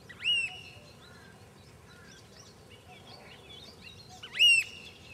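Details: Eurasian oystercatcher: a shrill, upslurred piping note, then a second louder one four seconds later, with softer chirps from other birds and a steady low hiss between.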